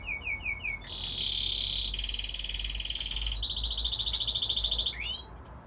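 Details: Young male red factor canary singing to impress his brothers and father; a loud continuous stream of high trills and rolled phrases, opening with quick rising notes, changing tone every second or so, ending in a sharp upward flourish.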